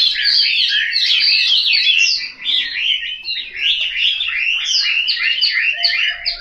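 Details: Chinese hwamei kept at home in Hanoi, Vietnam, singing vigorous, varied phrases of clear downslurred and upslurred whistles strung closely together, with a brief dip midway.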